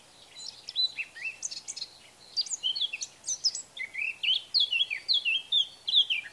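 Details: Male Eurasian blackcap singing in Bavaria, Germany, in June or May: a rapid, bright warbling run of varied fluty whistles and chirps, phrases jumping up and down in quick succession with short pauses, over a quiet background.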